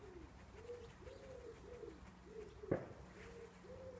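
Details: Wood pigeon singing in a garden, the song likened to "take two cows, Taffy": a run of low, hollow, rounded coos in rhythmic phrases, broken midway by one sharp knock.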